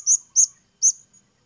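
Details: Blue-crowned hanging parrot uttering three separate shrill, very high, slightly slurred notes, each a brief sharp squeak spaced roughly a third of a second apart, in near silence.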